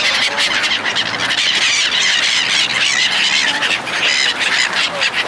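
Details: Feeding gulls fed by people make a steady, noisy racket of high harsh cries, many birds calling at once with constant overlapping squeals.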